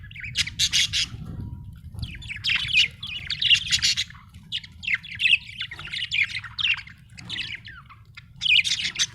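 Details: An Australian budgie chirping almost continuously: bright, scratchy chatter and squeaky warbled notes in overlapping runs, with few breaks and a faint low rumble underneath.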